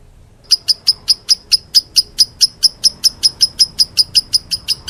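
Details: Lovebird in a chirping bout described as meloloh: after a brief silence, a steady run of about nineteen sharp, high, clipped chirps, roughly four or five each second.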